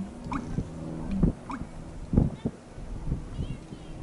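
Deep, hollow gulping notes of an American bittern, low and muffled, with short rising chirps from another bird and faint marsh noise.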